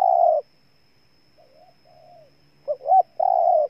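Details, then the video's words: Spotted dove cooing in Ninh Thuận, Vietnam. A long steady coo is followed by a quieter, farther phrase, and then the loud bird returns with two sharp rising notes and another sustained coo. "Cu Gáy Ninh Thuận"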